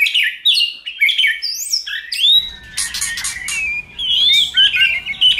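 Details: Varied White-rumped shama song played to stimulate another shama: sweeping high whistles and swooping slurs, followed by buzzy bursts and bright rising notes over faint background hiss.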